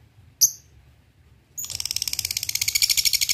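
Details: Lovebird song used as a lure to provoke rivals, in the style that opens with 'ngetik' and moves into 'ngekek'. A single sharp high chirp, a pause, then a fast, even run of shrill pulsed notes that keeps building to the end.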